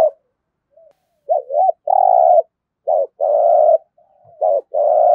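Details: Spotted dove 'giọng thổ' cooing used to stimulate other birds: three phrases, each a pair of short rising notes leading into a long, low, level coo, with brief gaps.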